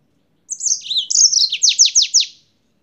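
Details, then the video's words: Yellow-fronted canary (Serinus mozambicus) said to come from Spain, singing a lot: a bright high song of twittering notes that runs into a quick series of five or six sharp descending sweeps, on a quiet background. "CANÁRIO-DE-MOÇAMBIQUE DIRETO DA ESPANHA CANTANDO MUITO"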